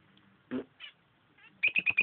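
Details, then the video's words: Pet lovebird pair, a female and a male, fooling around at their nest: a few soft scattered squeaks, then a run of five sharp, bright chirps spaced evenly about a tenth of a second apart. "Lovebirds and their nest"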